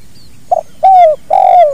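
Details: Spotted dove, natural recording for training other birds; a brief soft coo, then two long sliding coos of the 'kuk dua' call, clear and close over faint low noise.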